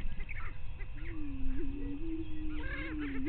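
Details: Greater prairie chickens on a lek at Bluestem Prairie near Glyndon, northwestern Minnesota, 5:30 AM, 9 May 2023, give low, hollow, moaning hoots overlapping in a steady chorus, with higher cackles and whoops above and a rumble of wind beneath.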